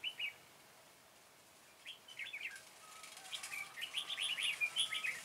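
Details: Red-whiskered bulbul used in trapping, recorded 21 September 2017: short bright warbled phrases, a brief one at the start then bubbling chattering notes building toward the end, over a quiet background.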